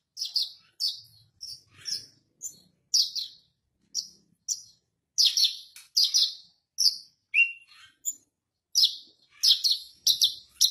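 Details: Horsfield's bush lark (Javan bush lark), a kept bird perched on a stone, sings a lively, continuous run of short, high chirps and buzzy notes, several each second, with one lower whistled slur near the end.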